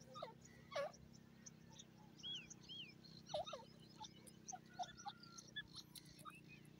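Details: Grey francolin, locally called gora teetar or jungle teetar, giving loud U-shaped notes repeated at uneven intervals of a few seconds, amid thin whistles and chirps of other birds and a steady low background hum.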